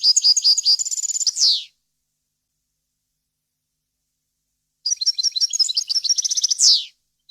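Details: European goldfinch singing, a clean, error-free recording made for teaching young birds: two bursts of rapid high twittering notes, each ending in a descending buzzy flourish, with a long silent gap between them.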